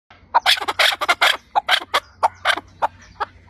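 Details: Chukar partridge calling: a run of loud, harsh, clucking notes about every quarter second, some gaps between them, with a low steady hum underneath.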